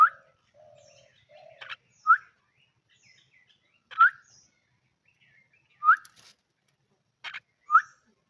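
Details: Pet common myna at home, owner coaxing it to speak; a series of sharp upslurred whistled chirps repeated roughly every two seconds, interspersed with soft low notes and brief rasping clicks.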